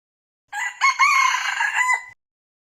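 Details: Loud crow of a red junglefowl decoy bird kept for trapping. It is a two-part call: a short first note, then a longer grating note that holds steady and ends cleanly after about 1.6 seconds, in silence.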